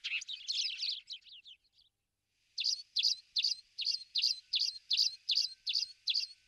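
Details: Spanish sparrows in Toledo, Spain, recorded in November 2019: a jumbled, overlapping twitter fades out, then a steady run of loud, evenly spaced chirps repeats about two to three times per second.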